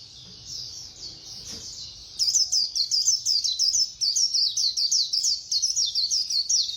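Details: White-eye in khuyên líu style with fast delivery: soft high chatter for two seconds, then a loud sustained stream of fast, warbling, high notes, roughly three bursts per second.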